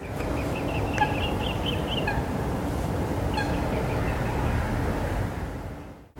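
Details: Four mute swan cygnets, nearly adult height but still grey-brown, swimming by with an adult give thin, high, delicate peeps in quick little runs, like tiny chicks, over a steady low rumble of wind and distant traffic.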